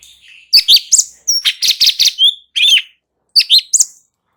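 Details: Light-vented bulbul training song, ngebren style, meant to make other birds respond. Loud, quick chirping phrases of rising and falling whistles are delivered in three bursts with short pauses between them.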